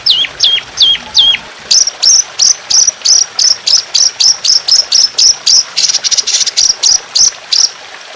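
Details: Indonesian trotolan songbird in a masteran training recording with trickling water, in a fierce, long, harsh, continuous shooting style: four hooked downward whistles open a long, even run of bright, sharp chips, roughly three per second.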